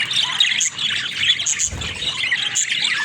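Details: Pet budgerigars, described as talking budgies, chatter continuously in bright, scratchy warbles and chirps, with short high squeaks over a dense, unbroken babble.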